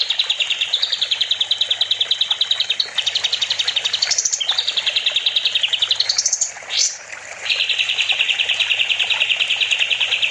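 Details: Olive-winged bulbul (kapas tembak) in full song on a master recording for training other songbirds: long runs of rapid, evenly repeated high chips, broken by a few quick upward sweeps and a short pause.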